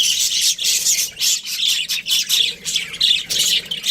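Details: Breeding pair of Australian budgerigars producing fast, pulsing bursts of scratchy high chirps, nearly continuous over a few seconds.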